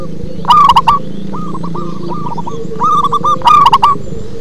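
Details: Local zebra dove giving deep 'ngebas' song, with two loud bursts of rapid rolling coos separated by a softer run of similar notes, and low rumbling background noise throughout.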